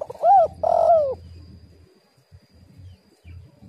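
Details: Spotted dove, female call used as a lure to prompt other doves to sing: two loud, arched, hoarse coos in quick succession, then a soft low rumble and quiet background.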